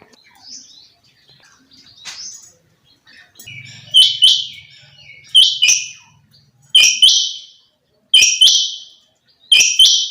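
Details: A female quail's call: after soft chirping and a low hum, loud buzzy double notes begin, repeating at a regular pace about every one and a half seconds.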